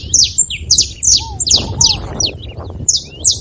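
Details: Saffron finch singing to stir another canary into song: loud, high bright chips and quick downward slurs repeated fast, roughly 154 a minute, with a couple of softer lower whistles.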